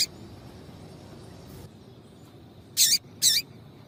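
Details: Female double-collared seedeater calling to stimulate a male: after a quiet stretch, two loud, high wavering squeaks in close succession near the end.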